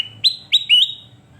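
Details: Sooty-headed bulbul singing for use as a training recording: three loud, clear whistled notes, each starting with a sharp upward flick and holding a steady tone, spaced about a quarter second apart.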